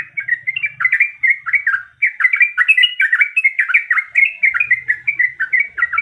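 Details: A female yellow-vented bulbul in breeding condition calls the male in a loud, dense, unbroken chatter of slurred bubbling notes, nearly clean of other sound.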